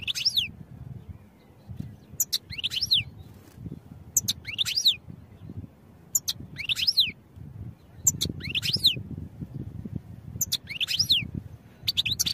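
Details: Training song of a European goldfinch: brief bright phrases of quick descending chirps repeated roughly every one and a half to two seconds, steady and clear above a soft low rumble.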